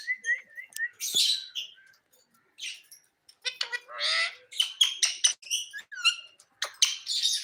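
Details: Pet talking parrot chattering in a busy mix of harsh squawks, wavering chirps and buzzy harmonic bursts, with short gaps between loud clusters.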